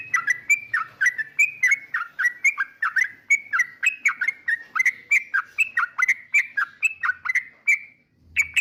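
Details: Yellow-vented bulbul song, said to rile up rival birds: a fast, steady run of short, bubbly, warbled notes that dip and rise, repeated several times a second for about eight seconds, then a brief pause and one more burst.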